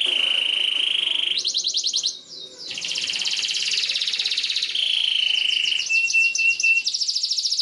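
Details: Canary singing in a long, emotional style, offered as a model for young canaries to learn from: a held whistle, fast rattling trills and one steady pure tone near the end.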